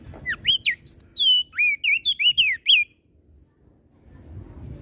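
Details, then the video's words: Crested white-eye from Flores delivering a provoking song: about a dozen loud, rapid whistled notes, upswept and wavering, packed into under three seconds, then quiet with faint low rumble. "Opior Jambul flores Gacor Bikin Emosi Burung Yang Dengar Pasti Langsung Ribut"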